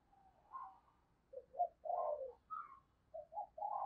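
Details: Decoy spotted dove calling wild doves in: soft low coos building into a sequence of short and longer hollow notes, some pitched higher, repeated with short gaps against a quiet background.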